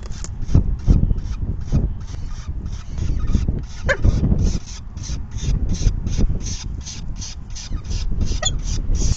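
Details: Begging from a falcon nest at a feeding, 4:40 PM, May 9, 2020: a long run of short scratchy calls, roughly three per second, continuing throughout, with a couple of brief higher squeaks and a deep rumbling background.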